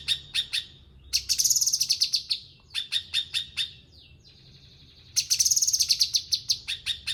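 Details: Cucak kinoi bulbul singing vigorously: bursts of sharp, rapid chip notes repeated in quick series, alternating with dense, buzzy, high-pitched trilled phrases and a short thin whistle, with quiet pauses between bursts; no other sounds.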